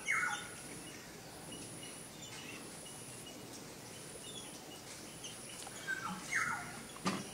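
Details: A female Asian paradise flycatcher in a Sri Lankan front yard gives two harsh, descending rasping calls, one at the start and one near the end, over a steady high insect drone.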